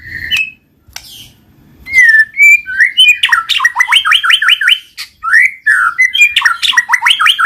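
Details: White-rumped shama singing a lure song for reluctant cage birds: scattered whistles, then a loud rapid chattering run of repeated notes dropping in pitch, a rich slurred whistle and another quick repeated run.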